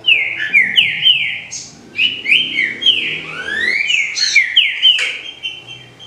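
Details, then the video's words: Green-winged saltator singing rich, clear whistled phrases, repeated slurred notes mixed with long rising sweeps, delivered almost continuously; recording meant to warm up a captive bird into song, faint low hum behind. "ESQUENTE SEU TRINCA FERRO"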